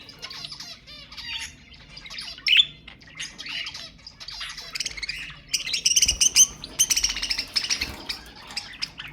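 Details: Budgerigars played to stimulate mating in pet birds: dense chattering warble of squawks, clicks and rapid chirps, busiest and loudest in the second half with sharp bursts.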